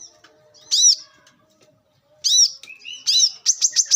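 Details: Brown-throated sunbird in the wild, recorded as a lure and training sound. Loud arched chirps come in bursts, followed by a flat whistle and then a quick run of four sharp, high clicking notes.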